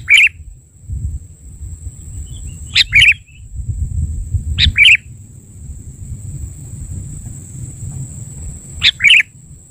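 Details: Lure call of a sooty-headed bulbul used in trapping: four short bubbly phrases of two or three chattering notes, spaced roughly two to four seconds apart, with a constant high whine and low background rumble.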